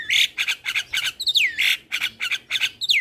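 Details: Asian pied starling singing for young birds, loud harsh rasping squawks repeated about three times per second, broken by a whistle that slides sharply downward.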